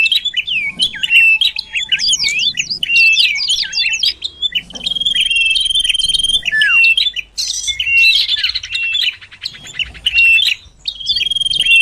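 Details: Lure recording of the common iora to attract birds: rapid looping whistled phrases, a sustained high note with chips, a falling slur, then buzzy rattling trills.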